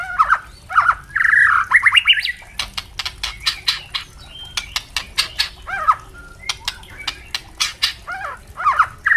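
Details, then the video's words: Captive white-rumped shama singing for training young birds: fluid warbled and whistled phrases, then a long stretch of rapid dry crackling clicks, with brief whistled notes returning near the close. "Murai trotol pasti gacor dan murai batu pastol bunyi ngeplong untuk Masteran murai batu trotol"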